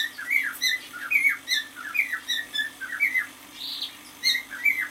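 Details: Young male cockatiel, six months old, kept at home, whistling a lively song of repeated chirpy phrases that rise and fall, delivered in a steady stream of short notes with one soft hiss-like burst.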